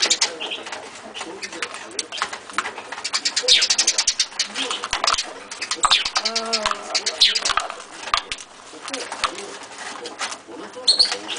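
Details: An angry pet rosy-faced lovebird, upset at peanuts put in its food dish, gives harsh, high, rapid chattering and squeaky calls in uneven bursts, with a lower, wavering voice-like sound briefly midway.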